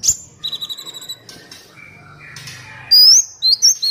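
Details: Kolibri Wulung sunbird in a training recording for captive birds; sharp high chips and a short trill, softer lower notes, then loud high whistled slurs near the end.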